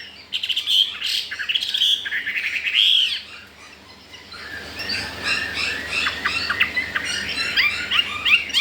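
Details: Newly arrived wild-caught Chinese hwamei, caged four days and said to want to breed, sings loud slurred whistles for three seconds, then a brief lull gives way to rapid, choppy chattering notes.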